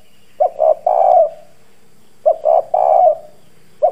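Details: Decoy spotted dove with a hoarse, bronze-toned voice cooing to provoke wild doves; a low three-part phrase, two short coos then a longer drawn-out one, given twice about two seconds apart.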